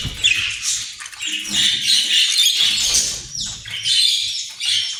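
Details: Australian parrot giving a busy mix of raspy squawks, squeaks and chattering phrases in uneven bursts, with faint low background noise.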